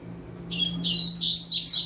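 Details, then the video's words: Young double-collared seedeater singing firmly as a training model: a soft whistle flowing into a loud, buzzy, high-pitched twitter, over a steady low hum. "Papacapim Novato Cantando Firme Top Pra Treino de Fibra!!!"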